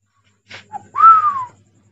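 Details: A male Indian ringneck (Rose-ringed parakeet) talking indoors gives a short breathy syllable, then one clear whistled note that rises and slides down, word-like, over a faint low hum.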